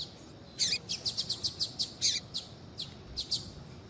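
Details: Female double-collared seedeater (coleiro tui tui) calling to excite a male into song: a quick run of about a dozen sharp high chirps, evenly spaced, then a few more spread-out notes near the end.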